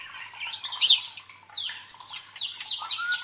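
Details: White-rumped shama song played to build fighting spirit in contest birds: a sharp high downslurred note followed by a series of quick descending whistles and chips.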